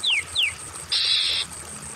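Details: Oriental magpie-robin, used as therapy for stressed, silent birds: two quick clear notes sliding downward, followed by a longer harsh, rasping buzz, with gentle water trickling behind.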